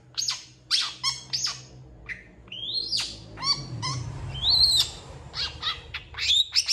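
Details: Long-tailed shrike singing vigorously with a full repertoire of imitations, including cat and chicken sounds. A varied run of high chirps, buzzy rising sweeps and short harsh notes over a faint low hum.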